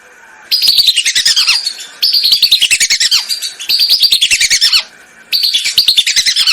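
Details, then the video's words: Lesser whistling duck calls for hunting lure: four loud bursts of dense, rapid whistling, each roughly one and a half seconds long, with notes sliding down at the end of each burst. "MP3 pikat BELIBIS//suara ASLI, jernih & keras"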